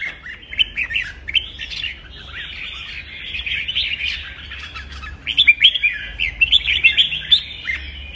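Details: Red-whiskered bulbul in competitive fighting song, played to train and stimulate birds to sing: dense, chattering warble of quick chirps and slurred whistles, bursts of brighter, louder notes after five seconds, continuous throughout.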